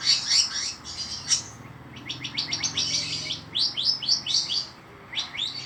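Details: Long-tailed shrike singing energetically: a dense run of rapid, scratchy high chirps and buzzy notes, several per second, pausing briefly before bursts resume, with faint low background hum.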